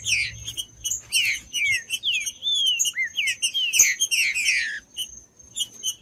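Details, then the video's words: Green-winged saltator singing, recorded to warm up a cold bird into song: a rapid sequence of swooping, sliding whistles, some rising and some falling, over busy high-pitched chirping and a constant faint high tone. "ESQUENTE SEU TRINCA FERRO MELHOR ESQUENTAR TRINCA FERRO frio TRINCA FERRO CANTANDO"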